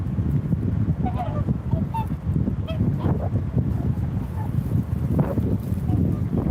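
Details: Swans calling: short nasal honking notes, some slightly rising, scattered irregularly through the clip over a constant low rumble of background noise.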